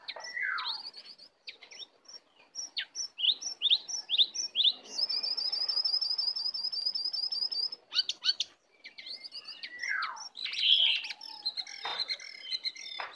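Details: Aggressive wild Oriental magpie-robin sings a long varied sequence: descending slurs, a string of quick ascending whistled notes, a sustained high trill, then scratchy chatter and further downward-sweeping whistles.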